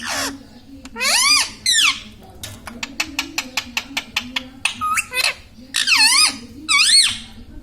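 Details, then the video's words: Indian ringneck parakeet kept as a talking pet, said to say mummy, papa and radhe radhe; shrill wavering phrases at the start and end, with a regular run of about ten sharp clicks in between. "indian ringneck parrot talking video"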